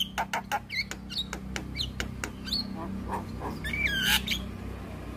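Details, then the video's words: Black-winged starling song meant to trigger silent, stressed starlings to answer: clipped harsh notes and sharp clicks broken by rising and falling whistles, over a steady low electrical hum. "Jalak Kebo Stres MAlas Bunyi Langsung Nyaut Dengar Suara Burung Jalak Kebo Ini"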